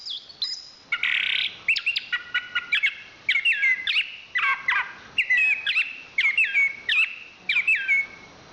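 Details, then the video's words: Champion Chestnut-capped thrush repeating a similar bright whistled phrase roughly every half second after a short raspy note, with sharp chips in between. "Suara Kicauan Burung Anis Kembang"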